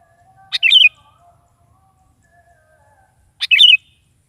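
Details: Sooty-headed bulbul singing in the morning to prompt a pet bulbul's answer: two near-identical liquid, gurgling phrases spaced about three seconds apart, with a faint steady hum beneath.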